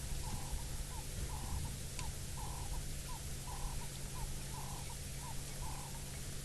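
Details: On an African safari in the Maasai Mara, heard from a safari vehicle, a francolin calls in a steady series of mid-pitched paired notes, about one pair a second, over a constant low engine rumble.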